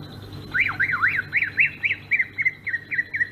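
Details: Sumatran greater green leafbird singing its rolling ngerol song: a run of rapid rising-and-falling whistled notes, about a dozen in three seconds, sliding slightly lower toward the end over a faint steady hum.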